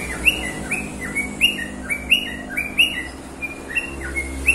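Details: Singing bird giving bright, sharp upslurred chirps at irregular intervals, some doubled, with occasional softer lower notes and a steady low hum behind.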